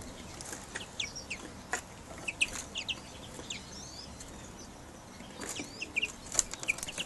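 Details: Greenfinch cocks readied for the 2012 breeding season utter sharp, high chirps in small bursts, pausing around the middle before chirping again, against light clicks and fluttering.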